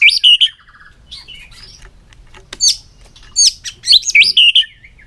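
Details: Caged white-rumped shama singing a long-strand song: loud, sweet whistled phrases sweeping up and down, with sharp high notes in bursts separated by short pauses.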